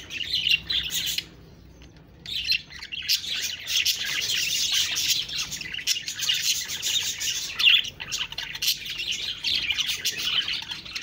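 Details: Budgerigars chattering together: a dense, continuous wash of high twittering chirps and warbles from several birds, briefly dropping out for about a second before resuming just as busily.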